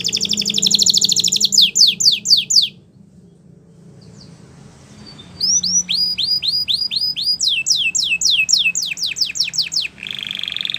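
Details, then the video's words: Belgian canary singing as a tutor for young canaries: a buzzy trill and falling slurs, a short quiet pause, then rapid repeated rising and falling whistled notes and a low buzzy ending. "Canary Teacher For Your Preschool Canary!! Belgian Canary Singing"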